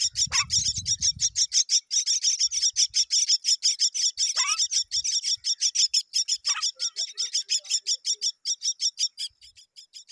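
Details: Both myna parents arrive to feed their babies; the chicks answer with a long run of fast, high, raspy chirps, roughly three a second, with a few short downward squeaks from the adults.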